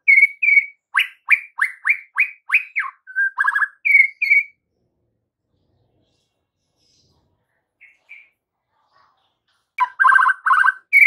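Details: White-rumped shama singing on an afternoon lure track for fledgling and juvenile shamas to reply: quick series of downslurred whistles and chatters, about five seconds of near silence, then harsh buzzy phrases return.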